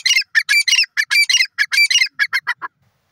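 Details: Francolin, described as a teetar, calling: a rapid run of harsh, grating notes about a third of a second apart, the notes growing shorter and thinner toward the end before the calling stops.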